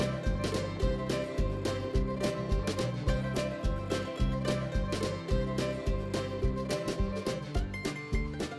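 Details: Rhythmic plucked-string music with a steady beat plays throughout, with no animal sounds.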